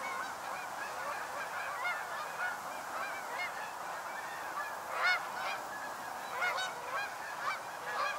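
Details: Migrating Canada geese making an autumn stopover in the northern US, a busy flock whose loud, upward-inflected honks burst out repeatedly over a constant backdrop of many distant calling geese.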